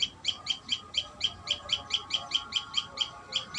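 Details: Loud, sharp, high-pitched chips repeated quickly and regularly, about four each second, from a common tailorbird at a live nest.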